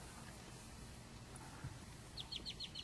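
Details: A great-tailed grackle in a Wal-Mart parking lot in Odessa, Texas, aggressively defending discarded paper or food from other birds, gives a quick burst of five sharp, high, clipped notes near the end, over a steady low rumble.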